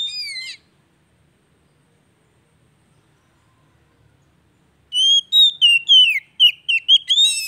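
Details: Oriental magpie-robin song meant to restart a silent bird: one brief whistled fragment, several seconds of quiet, then a fast, varied sequence of sweet slurred whistles and sharp chips.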